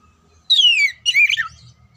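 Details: Oriental magpie-robin song for singing-contest training: one long clear whistle gliding downward, followed by a shorter, more warbled falling phrase.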